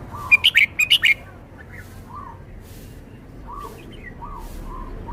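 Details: Red-whiskered bulbul from Thailand showing its song repertoire. A rapid burst of five loud, sharp whistled notes opens, followed by softer, lower arched notes repeated several times in the background.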